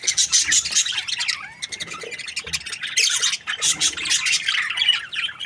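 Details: Breeding pair of budgerigars chirping: dense, busy high chirps and squawky warbles in overlapping bursts, with a short quieter stretch in the middle and faint low knocks.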